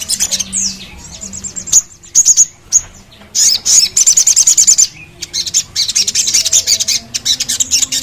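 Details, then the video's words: A songbird (sogon) gives high, thin chirps and rapid twittering trills that tumble over one another in quick bursts, with a sharp rattling run near the middle; this is a recording played to stimulate sogon birds to sing. "SUARA PENGGACOR SOGON"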